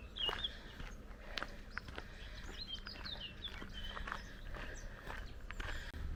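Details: Small birds singing beside a hiking path near the medieval village of Saint-Cirq-Lapopie: brief high chirps and twittering notes scattered across the clip, over footsteps and a low outdoor rumble.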